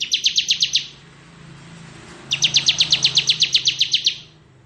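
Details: Bar-winged prinia, ciblek kristal singing in ngebren style for tutoring magpie-robins: a short run of sharp buzzy notes, a pause over low background hum, then a longer rapid trill of about eighteen notes.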